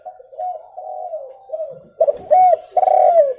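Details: Spotted dove call used for luring birds: soft, low cooing notes in a steady sequence, then three louder, emphatic coos with rising-falling shape closing the phrase.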